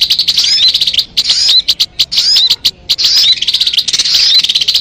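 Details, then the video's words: Crimson sunbird song used to lure birds: shrill, high twittered phrases with squeaky slurred notes, delivered in bursts about a second long separated by brief silences. "MP3 suara burung sogon..!!! Mikat burung anti gagal"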